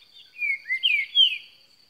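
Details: Green-winged saltator singing a quick run of slurred whistled notes that glide downward, ending in a strong drawn-out falling whistle, over a steady high whine.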